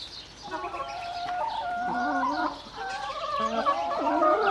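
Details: Hens clucking and murmuring together, overlapping harmonic calls in a low, gargling chorus with a few drawn-out, slightly rising notes, steady throughout with no other clear sounds.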